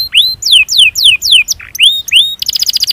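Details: Canary chirping to call a rival: a series of loud downslurred whistles about every quarter second, a couple of rising notes, ending in a rapid high trill.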